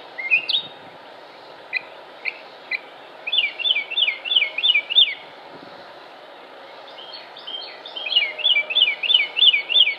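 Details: Song of a Northern Mockingbird recorded in Concord, North Carolina, 07-06-2016: scattered single chirps, then rapid bursts of repeated looping high notes, a pause, and another fast series of repeated phrases.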